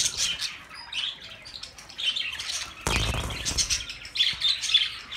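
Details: Budgerigars chattering for lonely birds, pet flock: high twittering chirps and short squeaks, interrupted midway by a sudden broad rustling burst, then more thin chirps.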